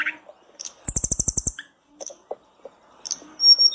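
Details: Blue flycatcher call used as a lure to get other birds singing: a rapid buzzy trill of about ten very high notes, then scattered short chips and a thin high whistle near the end.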